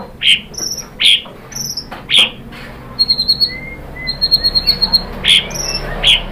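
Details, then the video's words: White-rumped shama singing, used to prompt other birds into song: loud clipped whistles, a few rapid stuttering bursts of high notes, and a brief low sliding whistle, all clear with little background. "KICAUAN MURAI BATU merangsang BUNYI jadi NYAUT GACOR NGEPLONG BONGKAR ISIAN ¦ PANCINGAN MURAI"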